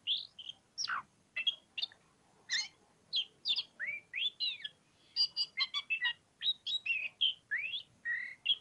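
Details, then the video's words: Kacer (oriental magpie-robin) singing ngobra: dense, energetic stream of clear whistles, harsh chips and quick stuttering notes that speed up in the second half. "KACER POCIKU NGOBRA NGOBRA"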